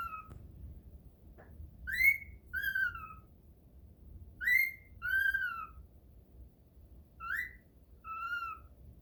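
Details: A cockatiel practising whistles gives clear whistled phrases, each a quick rise then a falling slur, repeated in short bursts.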